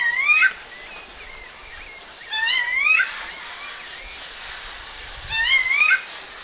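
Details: Rufous-bellied thrush female calling for a male in the wild, Pernambuco, Brazil: three upslurred whistled calls with bright overtones, roughly every 2.5 seconds, and quieter bird chirps in the background.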